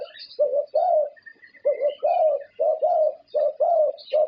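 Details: Champion Thai zebra dove that has won prestigious competitions, its voice the standard judged by professional judges: low, rolling coos in quick pairs and longer drawn notes, repeated steadily. Thin chirps of other birds are heard in the background.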